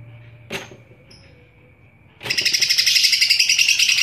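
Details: Green leafbird (cucak ijo) singing very actively while bobbing its head, a loud voice; after faint scattered ticks, a shrill, dense, rapidly pulsed chattering trill bursts in halfway and continues steadily to the end.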